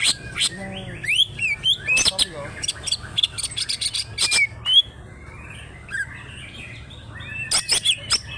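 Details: Greater green leafbird from Alas Purwo, Banyuwangi, singing in the rough fighter style with endless 'trok' clicks, crest raised and tail spread: sharp clicks, quick rising and falling whistles and chirps, with short pauses between bursts.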